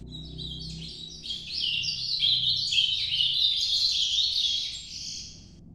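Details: Nordeste-style 'noturno' song of an ultramarine grosbeak: a continuous, high, rapidly warbled stream of twittering notes that swells in the middle and tapers off, over faint low background hum.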